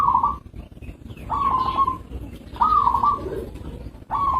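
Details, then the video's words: Zebra dove of a local strain giving rolling, slightly trilled coos at an even mid pitch, four phrases spaced about a second apart, with a faint background hiss. "Suara Perkutut lokal"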